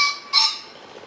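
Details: On a sunny, hot, breezy 3 May 2015, a green pheasant gives its loud, harsh two-note crow, 'ken-ken', the grating notes about a third of a second apart, then quiet.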